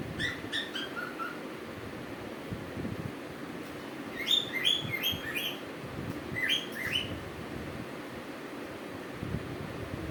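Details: Cuckoo giving rapid groups of high, clipped chirps: one run at the start with notes falling in pitch, then two louder clusters midway, all over a constant low rumbling background.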